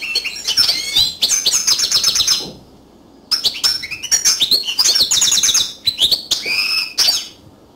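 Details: Yellow canary singing, last in a sequence of three birds: vigorous phrases of sharp chirps, quick rattling trills and thin whistles, with a silent gap around three seconds before the song resumes.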